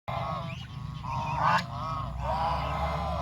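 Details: Farm geese walking together through countryside in search of food, giving drawn-out nasal honks, a louder one near the middle, over a steady low rumbling background.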